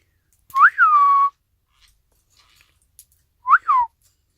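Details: Pet Isabelle pearl cockatiel filmed on 25 December 2017, Christmas Day, giving a clear rising-falling whistle that runs into a long steady tone, then a second short up-down whistle after a pause.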